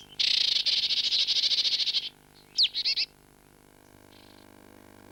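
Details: A Marsh Tit, resident of deciduous woodland in southern Britain, gives a fast, buzzy chattering run for two seconds, then its distinctive sharp, sneezing 'pitchoo' with a few quick high notes.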